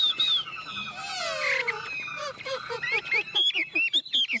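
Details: Chinese hwamei, a tame kept songbird, singing loud varied phrases: slurred rising and falling whistles with harsher rich notes early on, then a quick run of short, repeated upslurred whistles in the final second.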